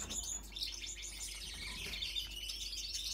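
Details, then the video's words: Grown-up male Gouldian finch, single factor yellow split blue, sings to impress females; a steady stream of high, squeaky, buzzy notes fills the clip over a constant low background hum. "Single factor yellow male Gouldian finch split blue, singing to attract females"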